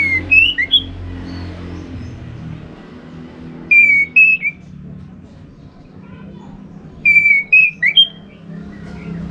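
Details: Orange-headed thrush phrases meant to make other birds sing in a covered cage or in the morning: three separate bursts of clear whistled notes, each a few rapid slurred whistles, with quiet gaps of a few seconds.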